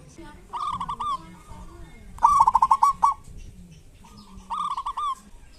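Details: Zebra dove of local stock giving kerot and bekur song as a lure for doves slow to sing. Three rippling trilled coo phrases, the middle one loudest, with low soft murmurs between.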